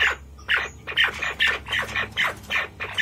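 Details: White-faced partridge calling with rough, buzzy squawks repeated in quick, uneven succession, roughly two per second, over a low background hum.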